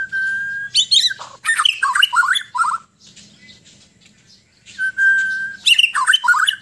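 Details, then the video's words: White-rumped shama from Sabah, Borneo, in relaxed song: a held whistle opens dense bursts of varied chattering and warbled notes, a quiet gap, then the whistle and burst repeat. "Kicauan murai batu Sabah : Suara dan aksi santai"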